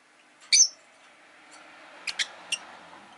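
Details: Caged rosy-faced lovebirds, five pet birds kept indoors by a window on a quiet afternoon, give one loud sharp chirp followed by a quick run of three short, high chirps over faint room hiss.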